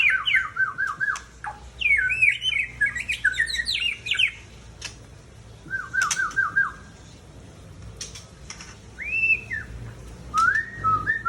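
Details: Mature male Aceh white-rumped shama from Tangse delivering quick bursts of jumbled whistled and chattering notes, some high and twittering, others lower trills, separated by short pauses, with occasional clicks and rustling.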